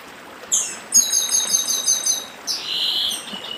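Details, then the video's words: Chestnut-bellied seed finch from Brazil's Northeast singing the Dedim song style: a sharp high whistle, then a run of about seven rapid, evenly repeated, ringing notes, ending in a slurred descending phrase over a soft trickling-water background. "Papa Arroz Dedim com Som de Riacho"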